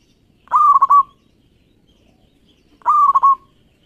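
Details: Local zebra dove (perkutut) in full song, used as a lure for other doves: two mid-pitched cooing phrases about two seconds apart, each a rolling note broken into quick stuttered beats, over a quiet background.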